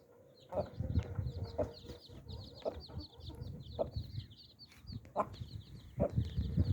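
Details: Mother hen with nine baby chicks: low soft clucks about once a second under a steady stream of high, thin peeping from the chicks, with faint rustling and shuffling.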